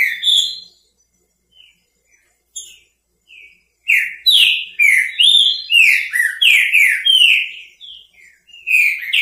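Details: Green-winged saltator, repetidor bico fogo song, used to stimulate a saltator that has stopped singing or just finished moulting. Scattered whistles give way to a dense, rapid series of loud, descending whistled notes.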